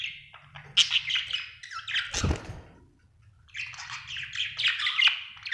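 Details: Happy budgerigar warbling and chirping in squeaky buzzy phrases; a short thump sounds midway, then a steady run of chirrups resumes.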